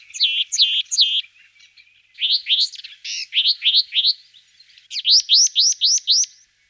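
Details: Sombre tit: rhythmic series of bright upslurred whistled notes, first a fast triplet, then a run of six or so, and finally five evenly spaced rising notes about four per second.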